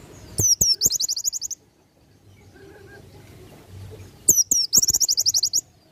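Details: Oriental white-eye singing in the ngalas nembak style, meant as a tutor recording for training birds: two bursts of very high, rapid chattering notes separated by about two seconds of quiet, each burst opening with sharp downslurred chips.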